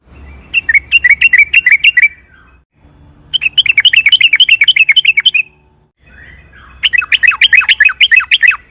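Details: Sooty-headed bulbul in long rolling song, played as a lure to set another bulbul singing: three extended bubbly phrases of quick chirping notes, each run lasting about one and a half to two seconds.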